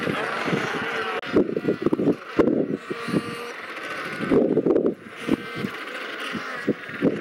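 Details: Royal penguins on sub-Antarctic Macquarie Island: harsh, pulsed braying calls with rich harmonics rise and fall in bursts, overlapping voices suggesting a busy colony, with steady wind or surf noise behind.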